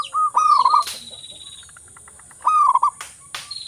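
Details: Local zebra dove, a strong singer used to draw other doves into song, gives two short rolling coo phrases separated by a pause filled with faint chirps and clicking.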